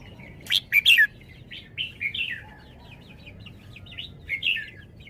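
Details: Red-whiskered bulbul kept in a cage, performing its song: an emphatic burst of three loud, bright notes, then a lively, chattering series of short, rising and falling whistles.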